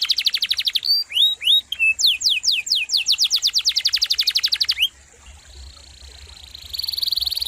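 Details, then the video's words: Rolling canary song meant for tutoring other songbirds: dense high notes, a few sweeping whistles, then a rapid even trill of repeated slurs. The song stops, leaving a faint hiss and a soft high buzz. "Masteran KENARI GACOR"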